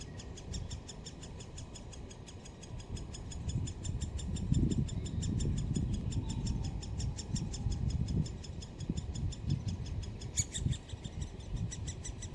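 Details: Nestling great spotted woodpeckers at Solleveld, 26 May 2018. One chick pokes its red-crowned head out to chatter as the parents come to feed. A dense, rapid, high ticking of roughly four notes per second plays over low rumbling.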